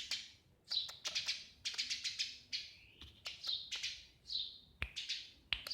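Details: Eurasian tree sparrow chirping: clusters of short, bright, high chirps, several ending in a slurred downward note, with occasional sharp clicks between the calls.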